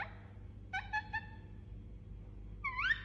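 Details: A sleeping Indian ringneck parakeet utters soft soothing notes: a cluster of three short whistled downslurs, a pause, then a rising squeaky whistle, with a constant low hum beneath.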